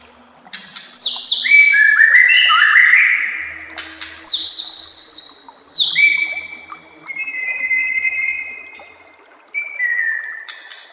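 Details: Caged-bird training song of the white-rumped shama over a gentle water murmur: rich descending whistles and rapid high sweeps, then long steady whistled notes, pauses between phrases.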